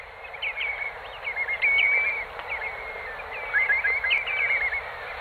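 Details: Eurasian oystercatchers in the Kent Channel, Morecambe Bay, give shrill, high piping notes in two quick excited bursts, over a soft hiss of background noise.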